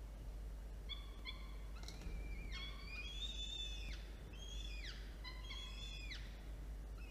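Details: Nest feeding of two falcon chicks at 1:54 p.m. on 13 October 2022, following a prey delivery: paired short harmonic notes, then longer, higher, downward-bending wailing calls, several in a row, over a low steady hum.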